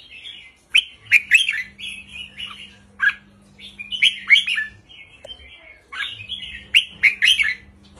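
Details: Red-whiskered bulbul singing short, easy phrases in the 3-4-5 counting style, used to excite caged birds. Bubbly warbled notes come in three groups separated by brief pauses, with a soft low hum in between.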